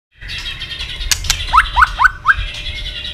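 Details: {'text': 'White-rumped shama giving fighting song, flicking its tail continuously and stimulated to sing fast and intense; four quick upward-swept whistled notes in a row, preceded by sharp clicks and a hissing background.'}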